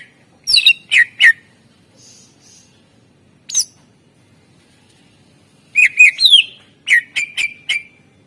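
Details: Greater green leafbird song for prompting quiet birds: three sharp rising notes, a lone high call, then a lively cluster of slurred and clipped notes after a silence.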